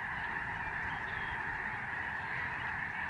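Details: A huge migratory flock of Lesser Snow Geese overhead at a Canadian bird sanctuary in November 2011. Countless overlapping yelping honks merge into one steady, unbroken wall of sound.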